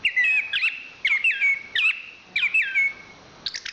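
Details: Chestnut-capped thrush, a national champion, repeating a loud whistled phrase that starts with a sharp note and falls into a drawn-out slur, about every half second.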